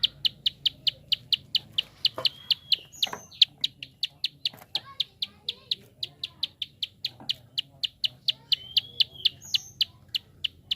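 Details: Prinia rapid click call, used to prompt other birds to sing: a continuous train of sharp high ticks several per second, with occasional short whistled slurs and faint knocks in the background.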